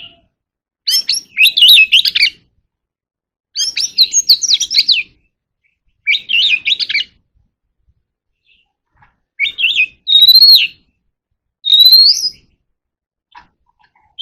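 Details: Oriental magpie-robin contest singing as a kept bird: several separate bursts of rapid, varied chattering notes, then clear rising whistled phrases near the end, each burst lasting about a second with quiet gaps between.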